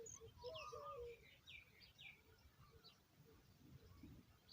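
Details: Oriental magpie-robin feeding its babies: short whistled notes and quick downslurred chirps, loudest in the first two seconds, then fading, over a low background rumble.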